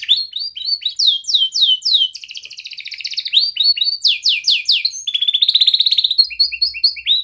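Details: Young canary singing at length with tight rolls, a training song for young canaries. Rapid series of bright downslurred notes, dense buzzy trills and quick repeated chirps follow one another, about four notes per second.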